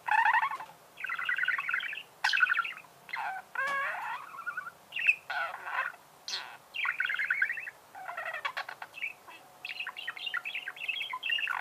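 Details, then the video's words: Caged budgerigar chattering continuously, mixing grating buzzy trills, clicks and high squeaky chirps in dense bursts of one to two seconds, barely pausing. "Чирикает волнистый попугай"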